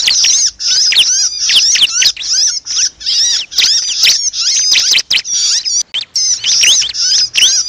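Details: A bar-winged prinia, known locally as cancilak, screaming in distress as a trapping lure. Piercing, scratchy high notes race up and down in tight bursts, separated by short breaks roughly once a second, keeping up an agitated, unbroken clamour.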